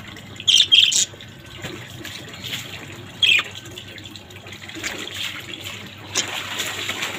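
A budgerigar gives a few quick, high chirps over a soft background hiss.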